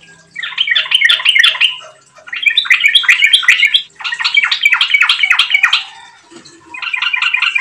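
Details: Yellow-vented bulbul singing gacor-style as a lure to prompt singing: four rollicking bursts of quick, bubbling warbled notes, each lasting one to two seconds, with short gaps between.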